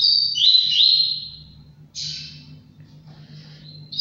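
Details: Captive-bred male Double-collared seedeater (coleiro) from a breeder in Brazil singing: a loud high whistled phrase with quick rising slurs, then a second buzzy burst fading away, with a faint low hum indoors.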